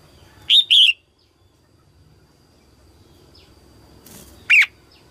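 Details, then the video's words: Early-season song of a female red-whiskered bulbul, sung in 2022 to rouse males: a bright two-note whistled phrase, then a single sharp whistled note about four seconds later, with faint chirps in between. "Tiếng chim Chào mào mái hót kích trống đầu mùa 2022"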